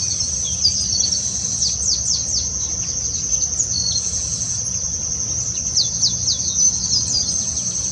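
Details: Female Chestnut-capped blackbird (Chrysomus ruficapillus) collecting nest material gives quick, high, downslurred chip notes in irregular bursts over a steady high insect-like hiss.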